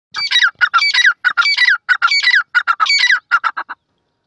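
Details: Francolin calling in a forest. Loud, harsh squawking notes run in rapid, repeated rasping phrases for about three and a half seconds, then stop into silence.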